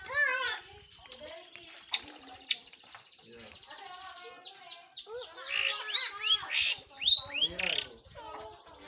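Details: Pentet or cendet, the long-tailed shrike, in lively song: rapid downslurred whistles and sweeping chirps that start quieter and grow louder and busier toward the end, delivered in uneven bursts.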